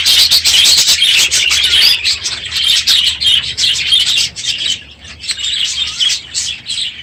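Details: Loud morning chorus of aviary budgerigars at the end of the breeding season; rapid repeated chirps and twitters from many birds, easing slightly toward the end.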